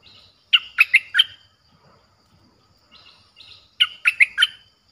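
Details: Streak-eared bulbul song for luring wild birds, described as aggressive-sounding: two phrases of four rapid bubbly chirps about three seconds apart, with faint soft notes between.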